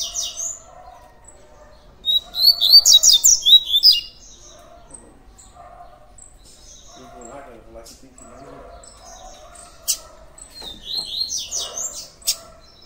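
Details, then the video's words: Double-collared seedeater (Sporophila caerulescens), coleiro tui tui, gives two bursts of fast, high, twittering song, each about two seconds long, with faint low murmuring sounds between them. "COLEIRO TUI TUI"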